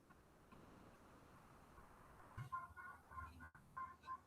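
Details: A pet hen gives a few short, throaty clucks in quick bursts during the second half, over a steady low indoor hum; her owner notes she is calmer than last time.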